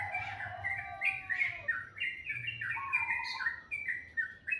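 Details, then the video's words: A bird sings in the morning: a fast, varied run of clear whistled notes stepping up and down in pitch, a few sliding low tones, loud and close, with a faint low hum. "Suara burung dipagi hari sangat merdu"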